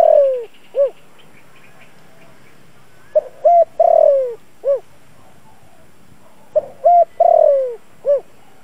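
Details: Decoy spotted dove in the 'giọng thổ' voice, calling to provoke wild birds; repeated coo phrases of soft opening notes, a drawn-out descending coo and a short rounded ending, roughly every three seconds in quiet surroundings.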